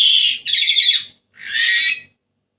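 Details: Two grating, raspy screeches from a Senegal parrot, the first long and running straight into a second harsh note, then one more after a short gap.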